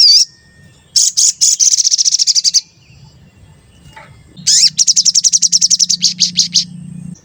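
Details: Sooty-headed bulbul lure sound, described as frequent 'cuit cuit' notes to excite other bulbuls: a short wavering whistle, then two long rapid high trills of fast repeated pulses separated by a pause, low hum underneath.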